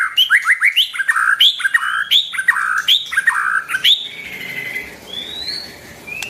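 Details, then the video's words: White-rumped shama singing to stimulate and train young birds: loud rolling phrases of looping, swooping notes repeated in quick succession, fading into softer drawn-out rising whistles. "tiếng chim choè lửa hót cực hay, dùng kích giọng cho chim bổi, tập giọng cho chim non"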